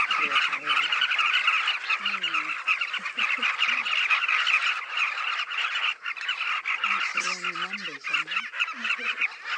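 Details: Southern carmine bee-eater (Merops nubicoides) colony on the Luangwa River banks, heard from a hide: a dense, unbroken chorus of rolling, throaty chirps as people talk quietly underneath.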